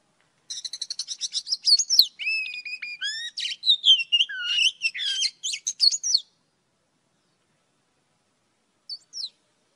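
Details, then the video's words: An old wild Oriental magpie-robin sings at morning: a quick string of rapid repeated chips, then varied whistled slides and warbles for about six seconds, silence, and one short final whistle. "Tiếng chòe than già rừng hót buổi sáng"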